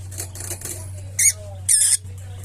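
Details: Opaline lovebird calling indoors: two loud, harsh, high squawks, the second longer and buzzier, after soft faint chatter, with a constant low hum underneath.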